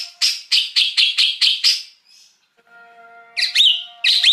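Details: Wild greater green leafbird recorded as a lure sound: a run of seven rapid, buzzy chirps, a short pause, then loud twisting whistled notes. Faint steady tones hum in the background.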